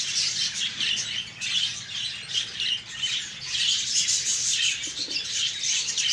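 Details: A breeding colony of Australian budgerigars chatters with constant high, warbling chirps and squeaky twitters.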